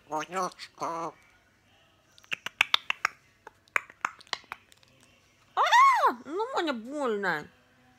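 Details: Pet grey parrot, indoors, angry and swearing when irritated: two short harmonic voiced notes, a run of sharp clicks, then a loud, wavering harmonic squawking outburst; a person speaks nearby.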